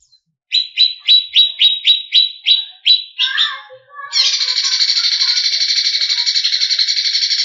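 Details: Greater green leafbird, a competition bird, in agitated song with varied phrases: a run of sharp, evenly spaced chirps near the same pitch, then a sustained harsh buzzing rattle to the end.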